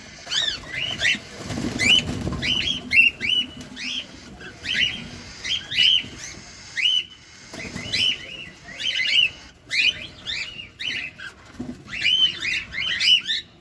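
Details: Close-up cockatiel while feeding: a long run of rising, whistled chirps repeated about once a second, sometimes doubled, irregular in timing, with a low rumbling noise early on.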